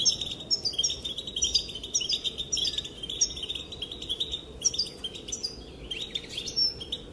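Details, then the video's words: A female European goldfinch calls to make the males dance, giving an unbroken stream of high, silvery twitters and trills with occasional sharper chirps. "Sounds and calls of the female goldfinch make the males dance"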